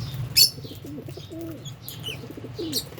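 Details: Albino and Fischer's lovebirds eating and playing: a sharp shrill chirp, then several short descending high calls, over low murmuring sounds and a steady background hum.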